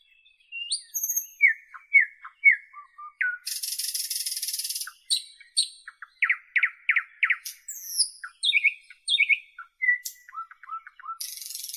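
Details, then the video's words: Northern European nightingale in full song: repeated falling whistles, a long harsh rattle, a fast series of loud sharp notes, sweeping upslurs, soft low trills and a final buzz. "Northern European Nightingale Birdsong"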